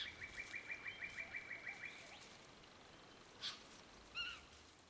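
A quick run of about a dozen high chipping notes for two seconds, then a harsh rasp and one slurred, piping whistle, all quiet against steady outdoor hiss.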